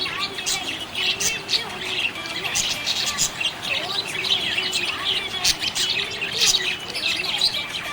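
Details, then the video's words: Happy budgie chirping: dense high warbling chatter with clicks and brief squawks, steady loudness and a faint low hum beneath. "Happy budgie chirping sound"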